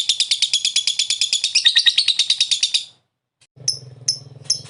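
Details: Lovebird ngekek: a fast, shrill chattering trill for about three seconds, then a pause and a few sharp squeaks over a low background hum.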